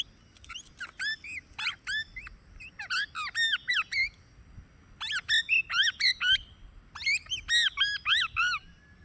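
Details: Plum-headed parakeet giving bursts of short, high, arched squeaky notes in quick runs of three to six, separated by brief pauses, with a faint low hum in the background.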